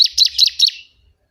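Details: Bar-winged prinia, a loud song for bird training or trapping: four rapid buzzy high notes running together, fading out within a second.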